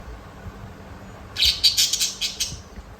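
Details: Parakeets chirping: a loud cluster of quick, high, bright chirps packed into about a second, over a quiet background hiss.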